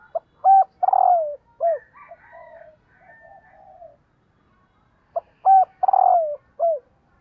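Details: Female spotted dove calling to stir up males. Two mellow cooing phrases about five seconds apart, each made of short hooked coos and a drawn-out descending coo, with faint murmuring notes between them. Otherwise quiet.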